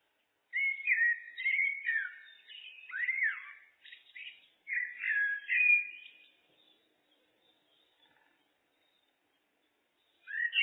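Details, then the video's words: Blackbird song: several rich, whistled phrases follow one another closely for about six seconds, some swooping down and up, then near silence with faint ticks before another phrase starts. "Blackbird, Turdus merula, birds"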